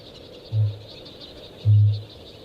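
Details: Male Kakapo (Strigops habroptilus) booming in the forest at night, inflating himself in his bowl to attract females: two deep, resonant, far-carrying booms about a second apart, the second longer and louder, over faint hiss.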